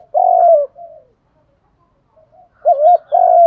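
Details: Spotted dove coo used by dove keepers to provoke rivals into cooing and fighting: a long low falling hoot, a short trailing note, silence, then a wavering double note and another sustained hoot.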